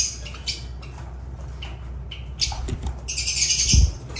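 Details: Lovebirds with faint scattered chirps that swell into a loud, rasping burst of chatter toward the end, over a low hum.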